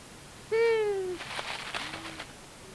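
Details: A male and female long-eared owl visiting a common buzzard nest at Tiszavasvári, Hungary, on March 23, 2022; a single nasal, slightly falling moan about half a second long, then rustling and a faint, lower second note.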